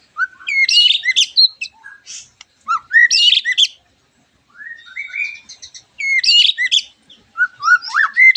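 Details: White-rumped shama lure song meant to draw other shamas into answering: repeated bursts of loud, varied whistles, rising slurs and harsh buzzy trills, separated by short pauses.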